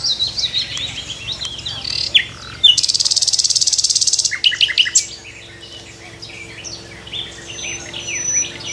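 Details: Nightingale in a tree at morning, delivering varied high chirps, then a dense buzzing trill lasting over a second, followed by sharp downward notes and quieter scattered twitters.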